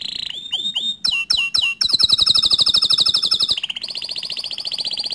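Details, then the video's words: Tutor song from a bottle-green canary for young and untrained canaries: opening downslurred whistles and chips lead into a long, fast, even buzzy trill, then a lower rolling trill, loud throughout. "Kicau Kenari Hijau Botol Untuk Masteran kenari Paud & Bahan"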